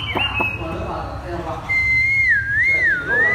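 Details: Caged Chinese hwamei whistling in the 'thắt cổ chai' song style: a long level clear note, then a pure whistle that wavers up and down in smooth slow waves; faint background hum.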